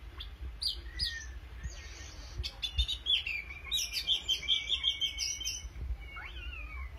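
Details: Oriental magpie-robin singing: a quick rhythmic series of high, pulsing notes at about three per second, then a rising-and-falling whistled slur near the end, over low background noise.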